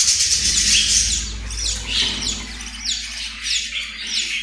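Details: Australian parrot giving harsh, raspy squawks in a rapid series, each a broad burst with a falling tail, with low background hum throughout.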